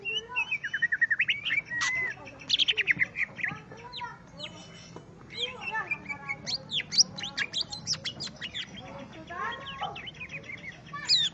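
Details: Singing at a rival, a greater green leafbird pours out fast rattling bursts, clear rising and falling whistles and dense twittering phrases in a long, varied, energetic stream.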